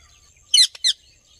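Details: Brief pair of harsh, high squawks from a happy Indian ringneck parrot, the first longer, the second shorter, separated by a tiny click.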